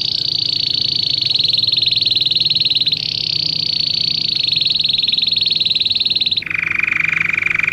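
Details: Belgian canary singing for canary training: a long high rapid rolling trill with a slight change partway, then a drop to a lower buzzy trill near the end.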